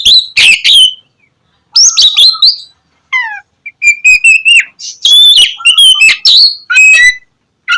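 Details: Oriental magpie-robin, called kacer, singing a lively gacor song meant to prompt lazy birds to sing at dawn: dense buzzy chatter, descending whistled slurs, then sustained level whistles and quick chirped notes.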